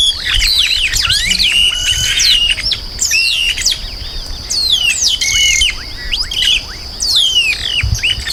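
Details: Chestnut-capped blackbird pouring out rapid whistled notes, rising and falling slurs grouped in clustered bursts, with a steady high ringing tone throughout.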